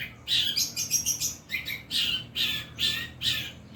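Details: Long-tailed shrike performing a mimicry song that copies 'kuntilanak' and 'greja petir' sounds, with loud buzzy chattering bursts about two per second, high and grating.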